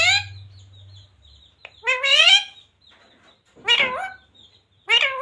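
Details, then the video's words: Talking parrot repeating devotional phrases "Radhe Radhe" and "Sita Ram". Three separate throaty, word-like utterances with bending pitch are separated by quiet gaps, with a low hum at the start. "Parrot Talking Radhe Radhe || राधे-राधे बोलने वाला मिट्ठू || Parrot Talking Sita ram"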